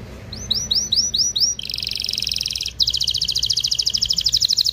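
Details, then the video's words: Excited canary singing to prepare a pair for breeding: five looping rising whistles over light background hiss, then a dense buzzy trill and a brighter rapid pulsed trill. "تغريد طائر الكناري هائج , لتجهيز الاناث و الذكور للتزاوج والغناء"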